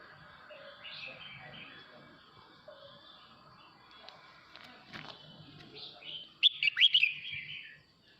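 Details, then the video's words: Male red-whiskered bulbul singing to call the flock: faint, scattered warbled notes, then a loud burst of quick, sharp chirped phrases near the end, with a low background hum throughout. "Chào mào trống hót gọi đàn"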